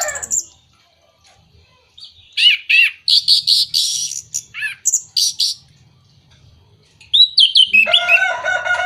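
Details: Orange-headed thrush lure song played to encourage moulting, silent or non-breeding birds to sing: a pause, then dense bright warbled phrases and clipped notes, ending in a run of rapid, rich whistled and harmonic notes.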